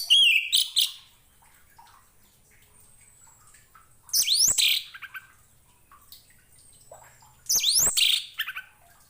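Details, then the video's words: Song of an Orange-headed thrush offered as tutor material for other songbirds: three short, rich bursts of sweeping whistled notes a few seconds apart, with quiet faint chirps in the gaps. "KICAU ANIS MERAH"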